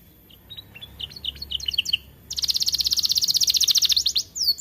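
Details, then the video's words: Young canary beginning to sing in an aviary: a few scattered high chirps first, then a fast buzzy trill of rapidly repeated notes lasting about two seconds, ending in a rising whistle. "Kenari muda mulai gacor"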